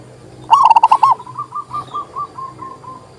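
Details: Local zebra dove song used to restart silent doves: one loud phrase of rapid, clipped coos, then a softer dove's run of about eight evenly spaced short notes fading away.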